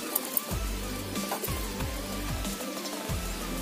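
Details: Deep, thumping bass notes sliding downward in a repeating beat, with a faint steady hum and soft patter behind, and no animal voice.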